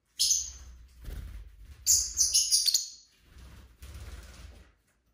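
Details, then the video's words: Captive lovebirds chirping and scuffling indoors: a harsh high screech, then a tight cluster of fast buzzy chirps, with softer rustling and fluttering noise between calls and low background rumble. "Lovebird Craziness (singing & chirping & fighting sounds)"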